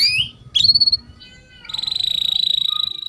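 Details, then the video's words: Young canary singing for a training recording, with short whistled notes and a chirp, then a steady fast trill; a low background rumble runs underneath. "Pancingan KENARI Paud AGAR Cepat BUNYI || MASTERAN Burung Kenari Gacor PANJANG"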